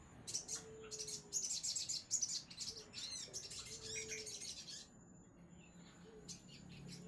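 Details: Crimson sunbird singing energetic bursts of sharp, high chirps and trills, while a lower, level whistled note repeats faintly beneath, then the song fades to a few chirps.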